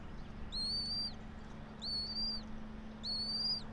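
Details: Bald eagle of a local pair nesting in a pine tree 90 feet high, Johnson City, Tennessee, 06:28 on 04.03.2024; three high arched squealing notes about a second apart over a low hum.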